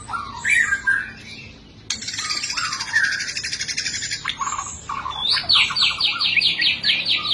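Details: Caged white-rumped shama singing a forceful training fighting song: opening whistled slurs, then a long harsh buzzy rattle, a few mellow notes, and a closing run of quick repeated high chirps.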